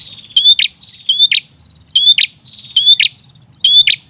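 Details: ['Energetic prinia song for drawing in untrained birds: five rhythmic phrases, each a high rising whistle snapping into a harsh, sputtering burst, repeated roughly every seven-tenths of a second.']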